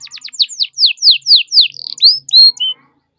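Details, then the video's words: Canary singing a pancingan lure phrase meant to set other canaries singing: a series of about nine clear descending whistled sweeps, then short rising notes and a brief upward flourish before silence. "PANCINGAN KENARI GACOR"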